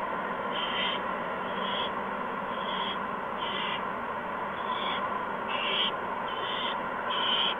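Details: Owlets at a nest on the evening of March 13, 2015, while food is delivered. A rapid series of short raspy hisses, roughly eight in seven seconds, sounds over a continuous background hum.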